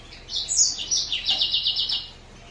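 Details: Green singer finch giving a short, high-pitched phrase: a quick whistled rise followed by an even, rapid trill of repeated notes lasting under two seconds.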